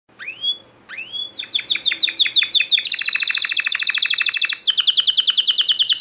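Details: Timbrado canary, a yellow bird, singing: two rising whistled notes, then rapid repeated metallic notes building into long, even, rattling trills that shift pitch, loud and continuous.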